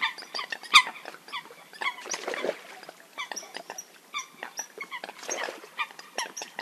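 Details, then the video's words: Several Eurasian coots in a hunting-call recording give dense, overlapping short nasal notes. One loud sharp call stands out early, and brief hissy bursts run through the chatter. "Eurasian Coot (Fulica atra) Real Hunting Call Sound"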